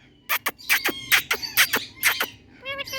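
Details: Indian talking parrot in a happy mood giving loud, harsh, buzzy squeals in quick bursts, ending with a thin harmonic squeak.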